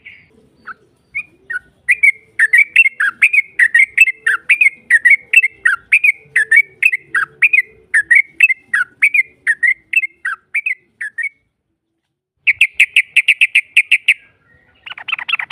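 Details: Yellow-vented bulbul lure song for provoking a rival's answer: a long run of bubbly whistled notes for about ten seconds, then silence, a fast buzzy trill, and a brief harsh rush at the end.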